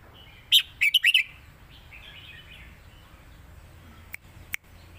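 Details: Red-whiskered bulbul kept in a cage in Thailand, southern song style. A short, bright phrase of four fast warbled notes opens the recording, followed by faint chatter and two sharp clicks over a low background hum.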